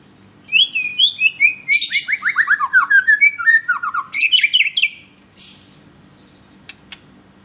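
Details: White-rumped shama giving a melodious song used as a lure to stir up captive shamas: a fast run of clear whistled notes sliding downward, each phrase slurred, about three seconds long, then a short pause with scattered faint chips.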